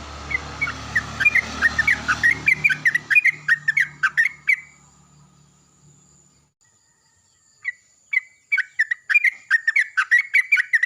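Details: Yellow-vented bulbuls calling back and forth loudly in the morning, played as a lure to make birds sing: long chattering bubbly phrases, a brief pause, then another quick rhythmic burst of bright repeated notes, with rumbling background noise early on.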